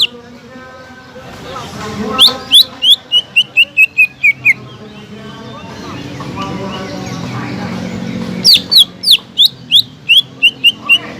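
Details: Greater green leafbird in continuous song, a lure to raise the spirit of silent leafbirds: two long runs of sharp descending whistled notes, accelerating into evenly spaced chips, with soft background murmur between them.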